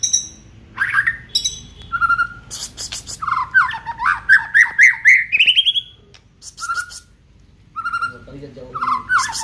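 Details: Aceh white-rumped shama giving a full run of isian: harsh buzzy bursts and sharp notes give way to a long accelerating string of slurred whistles rising in pitch. Flat whistles and a low chatter follow.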